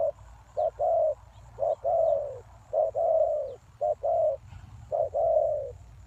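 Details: Spotted dove lure call used to attract wild doves: a clipped note followed by a longer, drawn-out falling coo, repeated about every second, with faint thin chirps from other small birds in the background.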